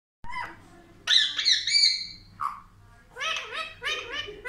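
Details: Talking Indian ringneck parakeet, a pet taught to say words for mummy and papa, giving harsh squawky vocal phrases: a loud grating burst, a lower gurgle, then a series of quick repeated chattering syllables.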